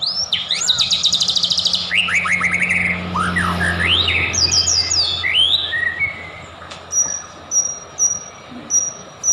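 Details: White-rumped shama lure song to provoke singing: opening rapid high trill, then a string of looping rising whistles and slurred phrases, ending in spaced short high notes against low background hum.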